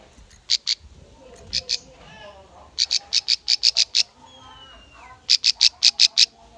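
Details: Bar-winged prinia lure song for training young birds, with rapid bright chips in uneven bursts of two to eight notes, loud and high-pitched. Softer lower warbles and a thin descending whistle fill the gaps.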